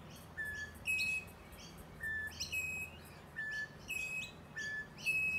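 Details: A rainbow lorikeet hiding in eucalyptus branches in Melbourne's eastern suburbs repeats a phrase about every one and a half seconds: a clear mid-pitched whistle, a higher whistle, and scratchy chatter.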